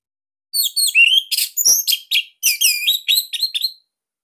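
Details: Bali orange-headed thrush delivering a dense, loud, unique song meant as a master for birds that are young or not yet singing: about three seconds of continuous rapid phrases mixing clear down-slurred whistles, rasping bursts and twittering notes.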